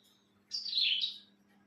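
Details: Cilang bird kept as a pet, singing on a bright morning; a single high, descending, slightly buzzy chirp lasting under a second, with a faint steady hum behind it.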